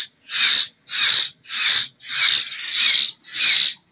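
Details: Young hand-fed common hill myna from Jember rasps out six loud, scratchy begging bursts with clean silent gaps between them.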